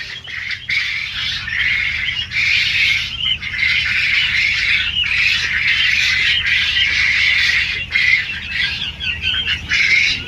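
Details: Quail at a large farm in Kalihati, Tangail, Bangladesh: a dense, continuous chatter of many high, squeaky chirping calls overlapping without pause, like a noisy crowd of birds.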